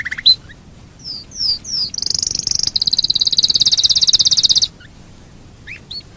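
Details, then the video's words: Canary song used as a lure to get other canaries singing: a few descending slurred notes, then a fast high rattling trill lasting nearly three seconds, followed by brief scattered chirps. "Pancingan burung kenari super ampuh"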